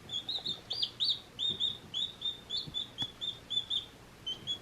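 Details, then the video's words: One-day-old baby chicks peeping softly: quick, level high chirps in a steady run over faint background hiss and a few soft knocks. "One Day Old Baby Chicks Chirping Sounds"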